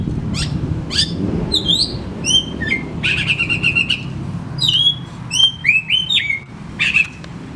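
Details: Oriental magpie-robin song for getting lazy birds to start singing: harsh sweeps give way to a buzzy trill, then a lively string of varied whistled notes, some sliding down, over faint hum.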